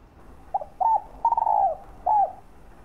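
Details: Spotted dove cooing to stimulate and lure other doves: a short low note, a clipped coo, a long slightly wavering coo that falls at the end, then a falling coo after a pause. The phrase lasts about two seconds, with faint background hiss.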